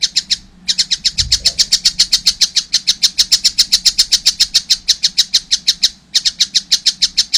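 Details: Fledgling collared kingfisher chattering in a long, nearly unbroken string of sharp, rasping high notes, briefly interrupted twice, with a soft low thump early on.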